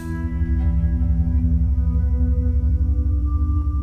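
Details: Sustained ambient electronic music with a throbbing low drone and ringing, bowl-like tones; no animal sounds are heard.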